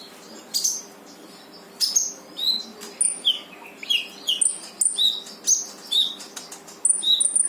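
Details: Brown-throated sunbird song aimed at getting a quiet bird to join in: steady series of sharp, high, downslurred chirps roughly every half second, ending in thin whistled notes.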